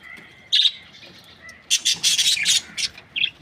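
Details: Breeding pairs of budgerigars, the Australian parrot, give a lone chirp, then a dense run of rapid twittering and squeaky warbles after a pause, ending on one short chirp.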